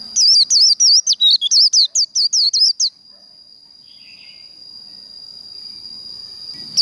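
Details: Japanese white-eye performing líu contest song for kích lửa training, a fast run of high, undulating twitters lasting nearly three seconds, followed by a long steady high-pitched whine and a brief final chirp.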